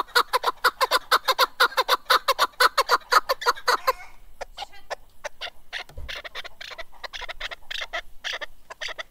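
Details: Keklik, or chukar partridge, giving a fast, even series of loud clucking chuk notes for about four seconds, then looser, softer, irregular notes trailing off.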